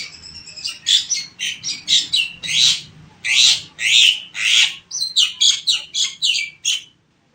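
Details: Black-winged myna singing vigorously: a steady string of harsh, high, scratchy notes and squawky bursts, some longer and some clipped, repeated almost twice a second for about seven seconds, with faint low background hum.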